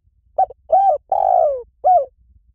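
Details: Spotted dove call used to lure doves: a short soft coo, a rounded coo, a long drawn-out descending croo, then a final rounded coo, all mid-pitched in a quiet setting.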